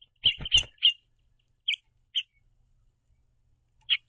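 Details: {'_': 'House finch pair communicating while feeding on seed at a backyard bird feeder; a quick burst of bright chirps, then spaced single chirps, with feeder knocks alongside.'}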